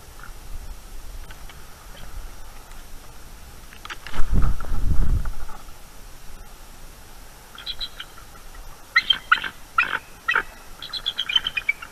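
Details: Eagles awake at night on their nest, 23 October 2021, guarding against an owl intruder, nest-camera sound: a low rumbling thump mid-clip, then bursts of high, rapid chittering and piping calls in the final four seconds.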